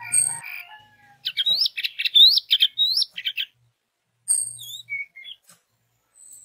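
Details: An orange-headed thrush sings in a recording meant to trigger song in other orange-headed thrushes. It opens with a few thin notes, then gives a rapid series of rising, looped whistles, a pause, and scattered high chirps.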